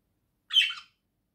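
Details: A pet budgerigar singing gives a single short, harsh, chattering squawk under half a second long, high and scratchy, with silence around it.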